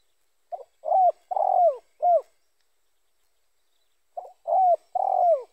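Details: Spotted dove repeating its four-part coo twice with about two seconds of silence between: a small lead-in note, a clear coo, a longer rough coo and a brief falling coo. The call serves as a lure for other spotted doves.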